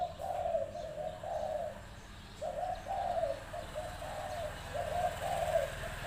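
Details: Spotted dove used in decoy trapping, lively, coos in low, mellow phrases repeated every second or so, each a run of soft hooting notes with short pauses, over a steady rural background hum.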